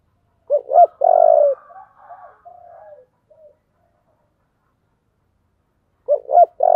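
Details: Spotted dove in 'giọng thổ' song style: a phrase of two short notes and a long coo, trailing off in soft descending coos, then a new phrase starting near the end.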